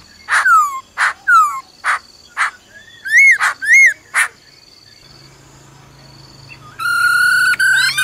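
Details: Female laughingthrush giving her "ro ro" call to stir a male: a series of harsh descending bursts and arched whistles, then a quiet pause and a steady whistled note.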